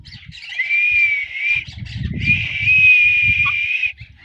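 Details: Pet parrot whistling: a long, steady high whistle held for about a second, a brief break, then a second sustained whistle of nearly three seconds, with low rustling and handling noise beneath.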